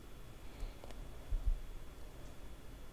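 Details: Near-silent indoor room tone with a few faint low thumps and soft rustles, and no animal voice.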